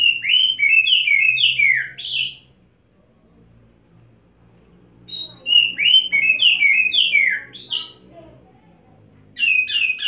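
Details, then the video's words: Displaying Oriental magpie-robin on a single perch after wet setting, spilling fill-in material: a series of whistled downslurred notes closing with a harsh burst, repeated after a quiet gap, over steady low background hum. "Kacer Satu Titik Tahan Ngobra Muntah Isian"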